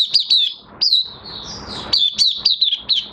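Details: Caged Oriental white-eye during minor moult: a few high sliding chirps, then a thin sustained whistle, followed by quicker downslurred chirping notes.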